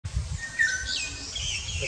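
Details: A greater racket-tailed drongo at Kalatang, Andaman, India gives a short, level whistled note, then higher swooping notes, over a low background rumble.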